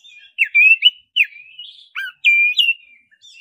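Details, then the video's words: Oriental magpie-robin of the black-breasted kind singing a lure for kacer: loud, sweet whistled slurs, some rising and some falling, in quick succession with short silences. "Pancingan suara kacer dada hitam roll nembak pancing kacer cepat bunyi"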